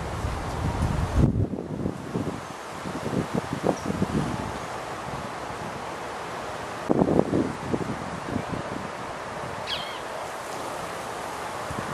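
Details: Gusty wind and rustling leaves with low rumbling buffets dominate throughout, and no clear animal voice stands out.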